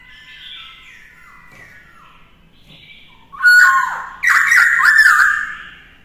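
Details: Caged black-throated laughingthrush singing to train a young bird. Soft, wavering whistled phrases open the clip, then loud, rich slurred whistles rise and fall in two bursts.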